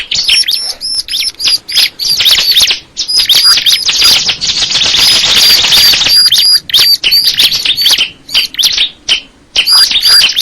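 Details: Bar-winged prinia singing high chirps and whistled notes, the song briefly swamped midway by a harsh hissing rush before clear rapid chirping returns.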